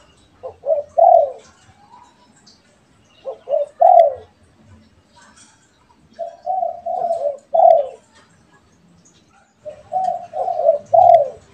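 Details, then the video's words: Spotted doves, a pet and a wild one, answering each other with four cooing phrases about three seconds apart. Some are brisk triplets of short notes, others longer strings ending in a strong final coo. "DERKUKU PIARAAN VS DERKUKU LIAR BERSAHUTAN_MERDU SUARANYA"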